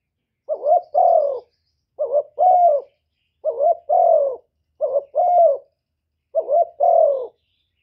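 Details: Decoy spotted dove cooing to excite wild doves: five evenly spaced phrases, each a brief rising-and-wavering note tied to a fuller, slightly descending coo, with short silences between.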